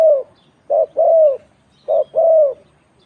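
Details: Spotted dove in the ต่อกิ่ง cooing style: a short coo snapped onto a long, slightly falling, hollow coo, the pair repeated twice over about three seconds against a quiet background.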